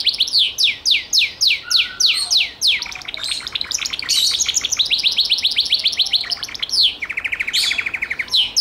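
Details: Gloster canary in song, starting with evenly spaced loud falling whistles, shifting into fast buzzy trills, then a lower rolling rattle and a final sweep.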